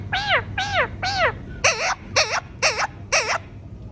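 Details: Pet green ringneck parrot talking indoors: seven loud, arched, harmonic syllables in a steady series, the last four shorter and more nasal, with a low room hum underneath.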